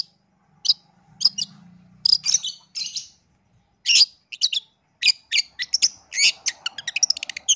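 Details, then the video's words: Long-tailed shrike singing a lure song used to make other shrikes answer: sharp, high clicks and chips in irregular bursts, speeding into a fast rattling series toward the end, with a low hum early on. "SUARA Pancingan Pentet GACOR"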